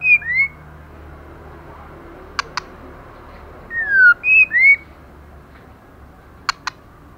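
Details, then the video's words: Moulting female white-rumped shama singing fiercely and snapping: short rising whistle phrase, two crisp clicks, a burst of three loud slurred whistles, then another click pair, over steady low hum. "LỬA MÁI THAY LÔNG TRỤI LỦI ĐẬP TẠCH LÔNG BAY VUNG VỤ HÓT CỰC XUNG KÍCH LỬA"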